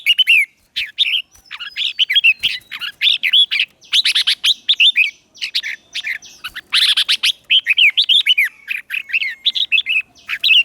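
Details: Red-whiskered bulbul lure bird singing to draw in wild birds for a song contest. Busy stream of lively chirped and whistled notes, with quick slurred phrases repeated in bursts over about ten seconds and a clean background.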